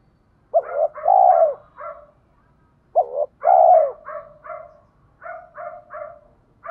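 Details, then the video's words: Spotted dove cooing to draw wild doves in for fighting: two deep double-note-and-long-coo phrases followed by runs of softer, quick, stuttering coos. "cu gáy giọng thổ pha kích bổi trống nhanh gáy, bổi ngoài rùng nghe nhanh về cội đấu với mồi"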